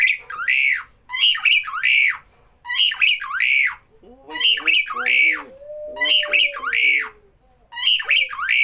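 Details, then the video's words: Starling that always calls when people are around, repeating grouped harsh squawks with sliding notes every second or so, over a faint low drawn-out tone. "Burung Jalak Bila ada orang selalu bunyi"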